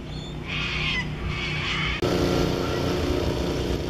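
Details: Little corellas at Bronte Beach, Sydney, on 16 September 2016, give two harsh, raspy screeches in the first two seconds over a steady roar of wind and surf.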